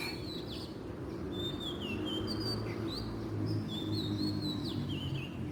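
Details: Oriental magpie-robin singing in the wild, a lively string of clear whistles, downslurs and short warbled notes in quick succession, loud against a low, steady background drone.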